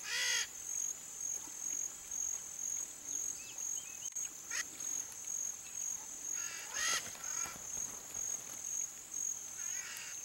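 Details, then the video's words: Red-shouldered macaw with scattered harsh, grating squawks near the start, middle and end. A steady shrill insect drone continues throughout and partly masks the calls. "MARACANÃ-PEQUENA canto (DIOPSITTACA NOBILIS), RED-SHOULDERED MACAW"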